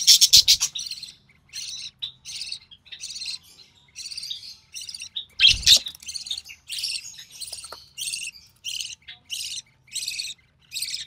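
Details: Recessive pied budgerigar chick at feeding time with its mother: rapid, broken chain of hoarse, scratchy chirps, a loud burst at the start and another near the middle.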